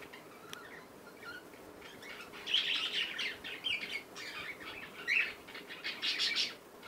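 A young cockatiel gives short, scratchy chirps amid bursts of wing flapping and rustling.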